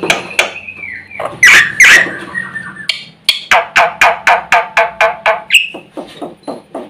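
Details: Chattering black-winged myna, its filled-out song said to rile other birds nearby: a loud squawk and a gliding whistle, then a fast series of dry harsh clicks and rasps at about four per second.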